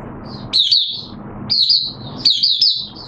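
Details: Oriental white-eye in a cage, second day of monthly deworming treatment, September 2022, repeating short bright phrases, each a sharp upward chip sliding into a thin wavering trill, about once a second.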